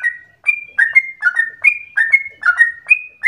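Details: Yellow-vented bulbul giving liquid, slurred whistles as a lure for other bulbuls; clear notes shift between a higher level tone and lower bubbly ones in a brief, lively phrase.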